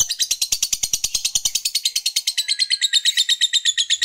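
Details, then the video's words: Lovebird fighter in long ngekek, used to stir rival males: dense, scratchy high chatter of roughly eight quick notes per second running unbroken for four seconds, with faint ticking beneath. "Ketikan Labet ini Merangsang Lovebird Fighter Cepat Narik Ngekek"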